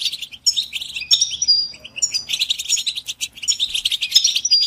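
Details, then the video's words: European goldfinch chorus, mating and readiness calls meant to set caged males singing; continuous busy twittering with nasal buzzy notes and thin drawn-out whistles, lively throughout, faint low hum. "بتبتة الحسون تحفيز الحسون على التغريد والهيجان علاج صمت الحسون goldfinch stimulation"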